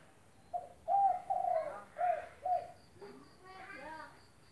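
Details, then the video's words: Spotted dove (tekukur), an active caller recorded to train silent doves: five mellow, low coos in an uneven rhythm, the middle ones longest, followed by a human voice and a faint high ticking insect. "Derkuku gacor buat masteran tekukur macet bunyi"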